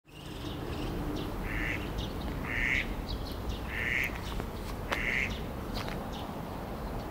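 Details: Eastern spot-billed duck at Oyokogawa Shinsui Park, Sumida, Tokyo, on 21 May 2016, recorded with an Edirol R-09 and windjammer: four harsh, nasal quacks about a second apart, with faint sparrow chirps and steady low city hum.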